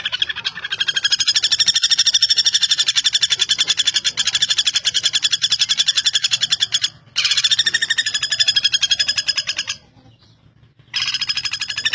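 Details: Pelatuk bawang, the common flameback, valued as a tutor bird for contest songbirds: a long rapid rattling trill of high clipped notes, broken by two abrupt short silences before the rattle resumes.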